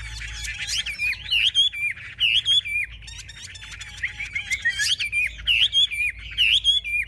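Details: Caged Chinese hwamei singing with wings raised and tail fanned, a bird described as a fierce fighter; loud, rich whistled phrases that twist up and down, delivered in quick bursts with brief pauses between them.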